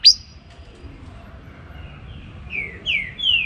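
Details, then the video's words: Morning song of a green-winged saltator (trinca-ferro): a brief high chip, a quiet pause, then three rising-in-loudness whistled notes, each sliding downward, with low steady background noise. "TRINCA FERRO BARUC CANTANDO PELA MANHA"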